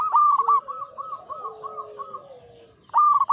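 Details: Mature local zebra dove in full song. A loud rolling coo phrase opens and another closes, with a softer, even series of cooing notes from another dove in between.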